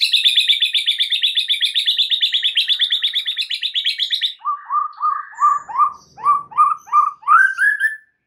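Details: White-rumped shama song meant to trigger singing in other birds: a long rapid high buzzy trill for four seconds, followed by a series of lower rising whistled notes repeated roughly twice a second.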